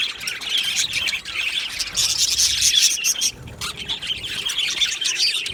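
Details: Budgerigars in an aviary colony, recorded 22 June 2025, chattering continuously in a dense warbling chorus of overlapping high chirps and squawky notes, with short bursts of louder chirping throughout.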